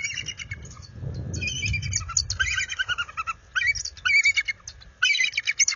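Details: Bald eagles, a resident pair in full defensive mode at their nest after dark in February, warning an intruder eagle: continuous high, squealing chitter notes, breaking into rapid separate chirps in the second half, light low rumble early.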